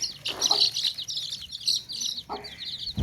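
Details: A basket of baby chicks, the tokri, cheeps constantly in dense, overlapping high peeps, each a short downward-sliding whistle. A couple of lower clucks break in near the start and again after two seconds.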